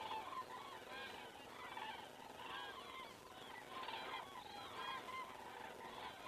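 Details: Common cranes on the wing over Estonia, evening of 19 September 2017, recorded by a crane camera: dense, rolling bugles from a flock, overlapping and pulsing in waves against a faint hiss.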